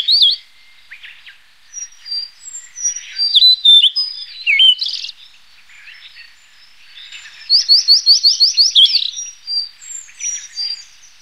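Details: Blue-and-white flycatcher giving varied, warbled phrases of clear whistled notes, some sliding up and down, broken by short pauses, with a fast rattling run of repeated notes near the end; no other clear sounds.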